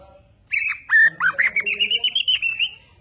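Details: Borneo white-rumped shama, caged and actively displaying, singing a loud sweet phrase, then a fast string of about a dozen rolling whistled notes at an even pitch.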